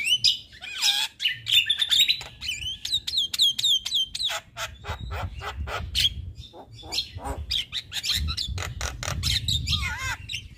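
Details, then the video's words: Very vocal male Javan myna, kept to teach other mynas, pours out a long varied song: squeaky slurred whistles, a wavering series of upward notes, harsh clicks and chattering, with low background rumble. "Burung Jalak Kebo Jantan Super Gacor Gurunya MAsteran Jalak"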